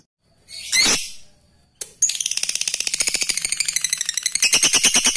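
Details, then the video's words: Lovebird, a competition fighter bird in full voice, giving its ngekek song: a brief harsh squawk, then a long run of rapid, high, scratchy chattering bursts repeated several times a second without pause. "Lovebird ngekek fighter gacor,,jadikan lovebird mu ikut ngekek gak mau diam"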